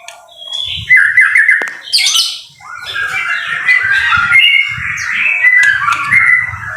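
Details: White-rumped shama song recorded in the rain, harsh squawky notes and scratchy chatter mixed with brighter warbled phrases, with low soft background rumbling.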